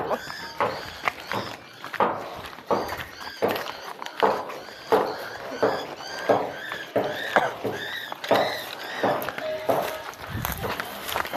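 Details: A cockatiel that turned up and was caught at a home, possibly someone's escaped pet, gives harsh, rasping calls with a rich harmonic tone, repeated about once a second.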